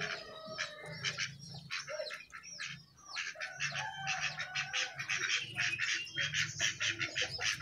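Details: Jongkangan calling from atop its cage in a lively chatter of rapid, harsh chirps and clipped whistled notes strung together without pause, with a low continuous hum behind.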